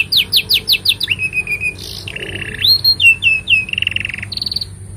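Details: Singing canary meant as a master song for young canaries: opens with a row of rapid rising chips, then sliding whistles, buzzy rolled phrases and repeated short swoops, with a low steady hum behind.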